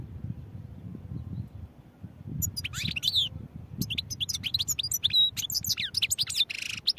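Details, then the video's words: After two quiet seconds, a European goldfinch bursts into song: quick chirps and twittered slides, then a longer run of rapid varied high notes with brief nasal buzzes. "goldfinch songs | goldfinch singing"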